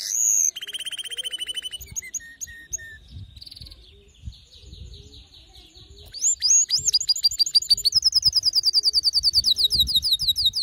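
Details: Agitated male canary song mixing fast buzzy rolls, softer ticking series and bright upswept whistles, ending in a long, very rapid high trill.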